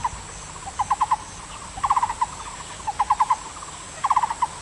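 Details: Repeated song of a Taiwan barbet: tight clusters of four or five mellow, low, knocking notes, each cluster about a second after the last, set against faint even hiss.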